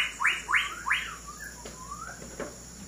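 White-rumped shama singing three loud, quick rising whistles about a third of a second apart, then softer slurred whistles and sharp clicks.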